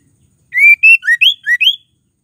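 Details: A short phrase from a female white-rumped shama, whose song spurs males to sing: six loud, clear whistled notes in quick succession, some rising, some dipping, with crisp pauses between them.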